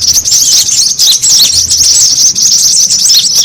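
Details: Brown-throated sunbird lure call used to attract birds: a dense, busy chatter of high, thin, rapidly overlapping chirps and twitters running without pause, with no other clear sounds.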